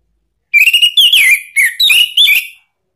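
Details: Orange-headed thrush lure song for prompting a caged bird to answer: a loud run of five clear whistled notes, each sliding and warbling, delivered in quick bursts over about two seconds, with no other sounds.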